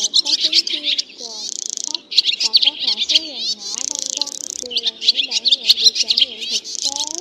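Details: Flock-gathering and roosting call of black swallows with white bellies, played as a trapping lure. Loud bursts of high buzzy twittering alternate with curving, wavy lower whistles in quick succession.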